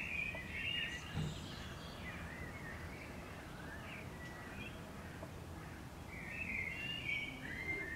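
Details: Wild common swifts (Apus apus) around nest boxes on houses in summer, one hooked onto a wall; scattered harsh trilling screams at the start and end, a quieter gap between, steady low hum underneath.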